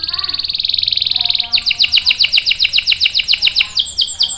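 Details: Singing canary giving a long rolling trill of fast even notes, then switching to a series of quick downward-sweeping chirps repeated about two to three per second, high and bright throughout.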